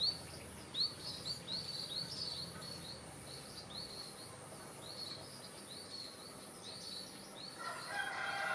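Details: White-rumped munia in a garden in northeastern Thailand: a steady series of thin, high chirps, each a short sliding note, repeated over a soft background hiss, ending with a brief burst of other lower, stacked notes.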